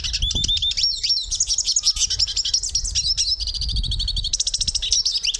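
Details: Hooded siskin singing a nonstop, fast and varied twitter, with sliding whistles, short trills and buzzy runs, over a soft low rumble in the background.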